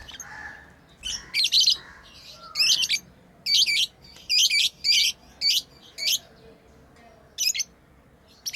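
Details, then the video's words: Pet lovebirds playing, giving shrill, scratchy chirps in short bursts, mostly single and paired, about ten across the stretch with brief quiet gaps between, over a low indoor hum. "Lovebirds playing & Chirping sounds"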